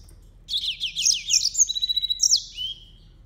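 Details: Yellow-fronted canary song: a lively phrase of rapid, high downslurred whistles, about a dozen in quick succession, flowing into a thin level trill and ending with a loud falling slur. Nothing else is audible.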